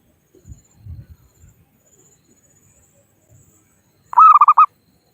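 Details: Zebra dove, local wild bird, calling rivals for use as a trapping lure: soft low thumps and quiet handling noises, then one short burst of five clear cooing notes at the end.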